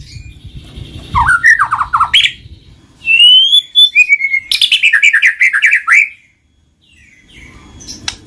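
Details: White-rumped shama in rich song, loud and varied: fast descending trills, clear sliding whistles and a rapid chattering run of notes, with short pauses between phrases.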